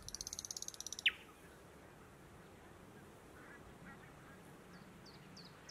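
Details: Thrush nightingale singing in June 2018 in Matsalu National Park, Estonia: a fast dry rattle of about a dozen clicks, then one sharp falling note, followed by faint high chips further off.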